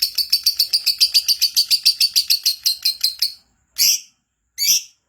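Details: Lovebird, kept to sing keenly, pouring out a rapid even string of about twenty bright, buzzy chirps, then two separate loud harsh squawks after a brief pause.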